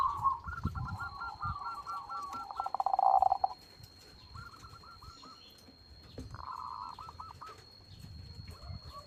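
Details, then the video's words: Perkutut, a zebra dove, singing loudly: a fast series of rolling, trilled coos, then quieter stuttering coo bursts after a pause, with a steady high electronic tone throughout. "PERKUTUT CROSSING GACOR SUARA BESAR."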